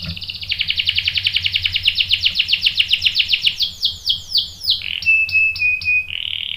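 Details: Canary song meant to provoke another male into singing: fast high pulsed trill, then a run of downward-sweeping notes, ending in a thin steady whistle and a buzzy roll.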